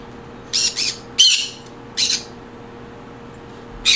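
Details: Indoor green conure, its calls said to create a happy mood: four separate loud, rasping squawks, the first two paired closely, spaced within about two seconds, then a pause and a final squawk at the end over faint hum.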